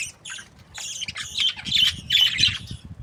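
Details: Happy budgies kept as breeding pairs give fast, scratchy chatter: rasping squawks and thin warbles packed together, growing louder over the second half, with faint low background noise.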